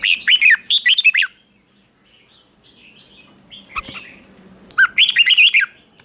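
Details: Decoy red-whiskered bulbul calling to wild birds in competition-style singing. Two lively phrases of rapid up-and-down whistles, separated by a quiet stretch with faint distant chirps and a single click.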